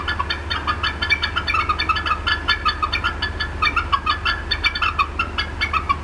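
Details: Upset female bald eagle clucking at the Decorah North nest on 18 April 2016, 4:23 PM CDT, apparently disturbed by something nearby; rapid series of short, sharp piping notes with bright overtones, continuing without pause over a steady low hum.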